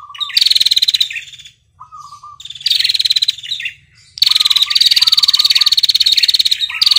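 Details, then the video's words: A red-headed female prinia trilling long ngetirr phrases toward the male; harsh, fast-pulsed high rattles alternate with soft lower double chirps, ending in one sustained two-second burst. "prenjak betina ngetirr panjang memanggil prenjak jantan"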